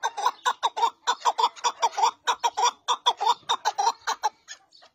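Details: A wild chukar partridge gives a fast run of harsh clucking 'chuck' notes, about four per second, slowing and fading at the end.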